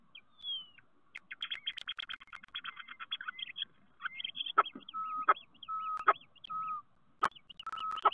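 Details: Common starlings at a nest box in Théding on 10 March 2023 give song: a falling whistle, then fast rattling chatter and clicks, mixed with steady mid-pitched whistled notes and sharp snaps.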